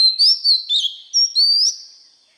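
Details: Training song of an Oriental magpie-robin for young birds: a loud, fluty series of high whistles, some rising and some falling, with a long held note at the end that fades away.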